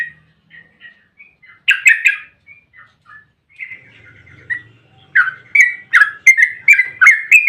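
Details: Yellow-vented bulbul singing a long rolling 'ropel panjang' song meant as a lure to set other bulbuls singing: scattered soft whistled notes, then a loud burst of bubbly notes, and a closing run of rapid chirps.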